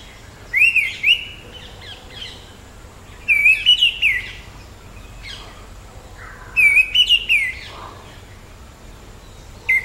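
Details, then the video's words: Orange-headed thrush giving short, clear, wavering whistled phrases with sharp, high ticking accents. Three separate bursts come about every three seconds, with faint softer notes between them. "橙頭地鶇/Orange-headed Thrush(Zoothera citrina)call"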